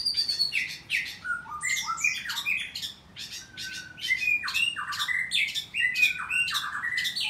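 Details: White-rumped shamas in a breeding aviary in the morning, singing a varied run of clear whistles, slurred rising and falling notes and harsh chatters, with a faint low hum behind.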